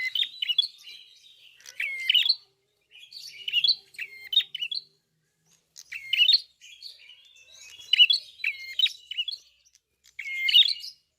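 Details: Singing red-fronted prinia, locally klawu, in full voice: clustered bursts of bright chirps and short whistles repeated every couple of seconds, with quiet gaps between.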